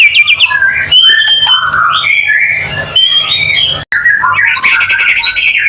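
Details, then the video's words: White-rumped shama song for prompting other shamas: continuous rich warbling with sliding whistled notes and harsher bursts, briefly cut off, then resuming over a low hum. "Murai batu gacor AMPUH buat PANCINGAN murai batu agar bunyi LANGSUNG NGEPLONG"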